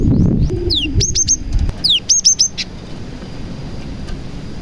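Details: Cinereous tit mixing in prenjak mimicry, played to make other tits sing; loud sharp chirp clusters and downslurred whistles repeated quickly, low rumbling background noise early on.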